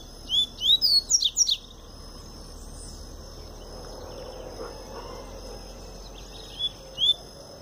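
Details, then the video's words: Double-collared seedeater (papa-capim) singing pure Tui Tui style song, bird just coming out of molt; quick burst of about seven sharp rising whistled notes in under two seconds, then two lone notes later, over steady high insect hum. "Papa-capim Tui Tui puro"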